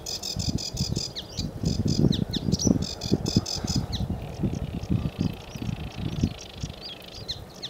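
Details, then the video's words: Sedge warbler at Newport Wetlands on 29 April 2015 delivers a fast, scratchy chatter of repeated high notes and buzzy trills, strongest early on, over heavy gusting wind rumble. "Sedge Warbler"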